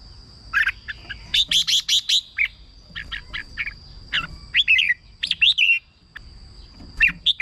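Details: Caged red-whiskered bulbul singing, a recording meant for decoying or rousing other birds: rapid clusters of sharp, rich chirping notes, then looping slurred whistles, in bursts separated by short gaps, with a thin constant tone behind.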